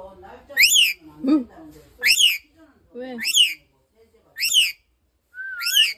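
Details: Pet rainbow lorikeet in a whistling duel with a person at home: sharp rising whistled notes with stacked overtones, about five bursts spaced roughly a second apart, alternating with lower human whistles and a woman's voice.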